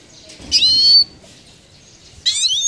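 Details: Goldfinch singing: two loud, high, buzzy twittering bursts with rising and falling notes, separated by a quiet gap over faint background noise.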